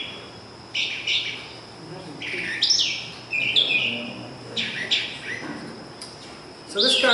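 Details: Brown Thrasher, a mimic with over 2,000 songs that usually repeats each phrase twice, singing short, varied, bright phrases with brief pauses between them, some given twice in a row, over a faint background hiss.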